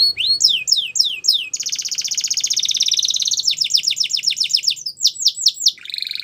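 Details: Belgian canary song for training young canaries: swooping whistled notes in quick series, a long dense buzzing roll, then more rapid swept notes changing pace, closing on a softer trill.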